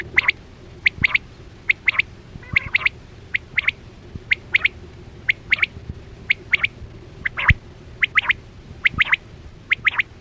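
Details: Quail lure sound for the 2024-25 hunting season with nets: evenly spaced clusters of two or three crisp chirps every half-second or so, long and consistent, with faint low rumble beneath.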